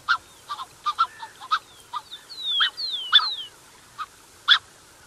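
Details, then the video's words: Black-necked swans, a pair with cygnets, recorded close: a quick series of soft nasal honks, then long high whistles gliding down, ending with a couple of separate honks. "Black-Necked Swan. MCU Calls From Pair With Cygnets."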